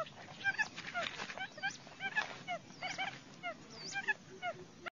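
A flock of quail chattering together: many short, hooked chirps and squeaky whistles overlapping several times a second, some rising and some falling in pitch.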